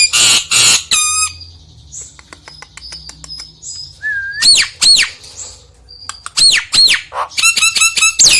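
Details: Nias hill myna singing as a lure for a quiet bird: coarse squawks, a long faint series of ticks, then a rising slurred whistle and loud down-swooping notes ending in a quick ringing run.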